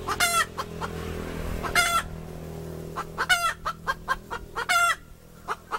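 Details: Hen repeating loud, harsh squawks about four times, interspersed with brief sharp clucks, over a steady low mechanical hum.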